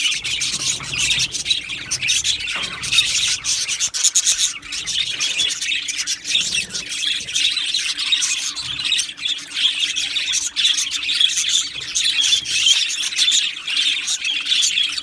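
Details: A large group of Australian budgies in an aviary chatters without pause. Dense high chirping, warbling and occasional squawks from many birds last fifteen seconds at an even, busy level.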